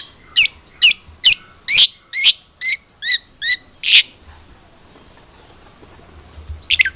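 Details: Long-tailed shrike (cendet trotol) used as a lure to encourage a captive bird to sing: a steady series of about nine loud, slurred notes, evenly spaced, then a pause and a brief final pair.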